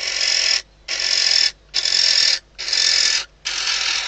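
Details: Female barn owl inside a nest box at Riet Vell Natural Reserve, Ebro Delta, at night, days before the first chick hatches. She calls to the male arriving at the outside perch before mating. Five harsh, broad hissing bursts, each about half a second long.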